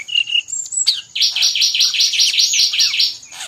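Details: Brown-chested jungle flycatcher from Bali in energetic song mixed with other birds' voices: a busy run of rapid chirps and twitters between 2 and 6k, with a steady high whine behind.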